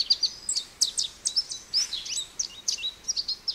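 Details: Quiet, high American goldfinch twittering, with short sweeping and chirped notes tumbling in quick succession against a soft background hiss.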